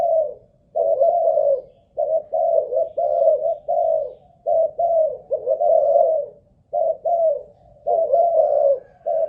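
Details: Captive Malaysian-line spotted dove used as a decoy, tested for cooing endurance: continuous low hoarse coos in paired and triple groups, steadily repeated across nine seconds with short gaps.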